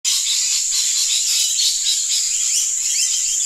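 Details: A flock of lorikeets in trees in Australia, at slight distance, keeps up a constant high, shrill wash of overlapping chirps and squeaks with no pauses.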